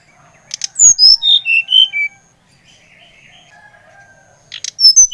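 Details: Brown-chested jungle flycatcher from Bali, used to stimulate another bird to sing: rattling clicks, then six whistled notes descending stepwise, followed by a pause and a further burst.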